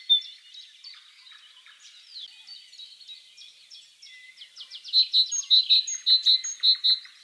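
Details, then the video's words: In spring, after a stretch of softer, high, jumbled chirping, a great tit sings a loud, rapid series of bright, ringing two-part notes in its last few seconds. "GREAT TIT singing"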